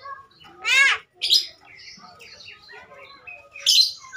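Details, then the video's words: Clever talking Javan myna mimicking speech: a loud wavering harmonic phrase, then a sharp high note, a run of soft chattering syllables and a final bright squeak. "Jalak kerbau Pinter bicara"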